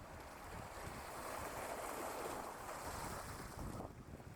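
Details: Buffeting wind and breaking surf on an open shore, without any animal calls.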